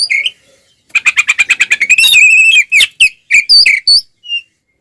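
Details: Oriental magpie-robin singing aggressively to provoke other birds: a short whistle, then a quick rattle of repeated buzzy notes running into a long ringing whistled phrase, followed by scattered sharp chirps.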